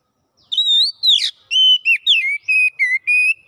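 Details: Kacer, or Oriental magpie-robin, delivering fast gacor song with mimicked phrases: a wavering whistle and harsh burst, then a steady run of seven short whistled notes, some dipping, some level.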